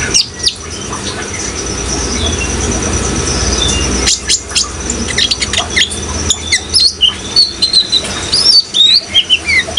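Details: Van Hasselt's sunbird in full song: after a few seconds of steady water noise, a lively run of rapid high chirps and sharply bent whistled notes, set against flowing water.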